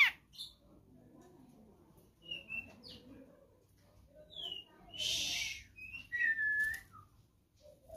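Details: Grey-cheeked bulbul (Alophoixus bres) from Sumatra, song used to train birds: short, scattered whistled notes, some sliding down, with a harsh rasping burst midway and a soft low murmur underneath.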